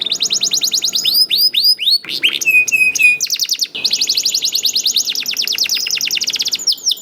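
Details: Continuous rolling song of a young canary, used as a lure for other canaries: long trills of rapidly repeated notes, interrupted by rising chirps and short whistled phrases.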